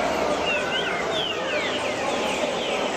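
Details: At the 7th stage of a 2016 PE championship, a green-winged saltator gives a quick run of clear whistled strokes, some rising and some falling, half buried under steady broadband noise.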